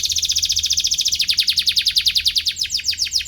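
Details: Atlantic canary chirping in search of a rival, a song used to teach young canaries: one rapid, even trill of bright high syllables, about four per second, slightly falling then rising in pitch, loud and clean throughout.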